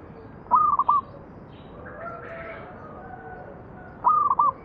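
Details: Local zebra dove singing, used as a lure to prompt other doves to sing: two short, stuttering cooing phrases that rise then break into quick pulses, about three and a half seconds apart, over a faint steady background hum.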